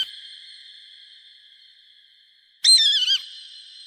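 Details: Hawk call played to scare birds away: one short, harsh, slightly descending scream with strong overtones, under a second long, after a long, steady, high ringing tone that fills the background.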